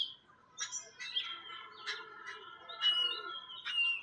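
Jungle babblers give harsh, scratchy chattering bursts about once a second, mixed with thin high whistled notes, several birds calling together.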